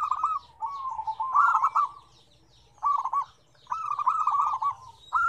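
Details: Zebra dove song from a lively mix of five combined voices with differing tones: rapid bursts of soft, rolling cooing notes, each phrase a quick stutter of tremulous coos separated by short pauses.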